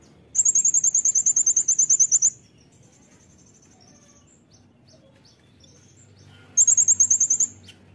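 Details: Lively, shooting-style 'nembak' song of a Brown-throated sunbird kept as a tutor recording for cage birds: a two-second run of roughly sixteen piercing high ticking notes, a long pause, then another quick burst.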